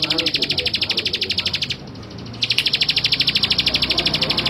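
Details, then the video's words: A male Bar-winged prinia sings a fast, even series of high, buzzy chipping notes, repeated in two bursts separated by a brief pause. "Suara Ciblek Sawah Jantan"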